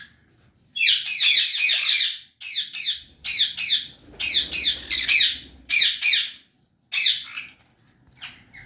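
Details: An adult pair of sun conures gives loud, harsh screeches in repeated bursts, each lasting about a second.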